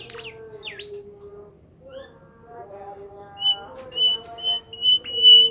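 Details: Bimoli bird in active song: a few descending and looping squeaky notes, a quieter pause, then a run of level, high whistled notes growing louder toward the end, with a low background hum.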